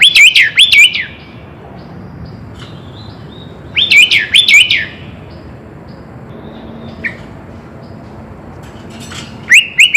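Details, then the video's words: Sooty-headed bulbul full song, played to get birds singing: brief phrases of four or five quick, rising whistled notes come about every four to five seconds, with quiet pauses between. "Suara Kutilang Full Isian - Biar Makin GACOR"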